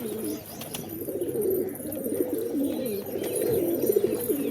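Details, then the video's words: Several pigeons coo continuously, a low rolling burble with wavering, bubbling notes overlapping one another and no real break, soft hiss behind. "Pigeons | Cat Tv For Cats To Watch Birds | Beautiful Birds chirping Sound"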